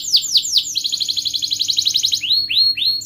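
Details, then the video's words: Canary performing a rolling ngerol song used as a lure for reluctant canaries. Sharp falling whistles lead into a rapid high buzzy trill, then end with a few long downward-sliding notes. "Kenari gacor NGEREK MBARONG Cuit cuit NGEROL ini terbukti Ampuh untuk pancingan Kenari Malas BUNYI"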